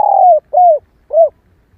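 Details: Female spotted dove call used to prompt males to answer: a long falling coo followed by two shorter arched coos, evenly spaced about half a second apart, over a quiet background.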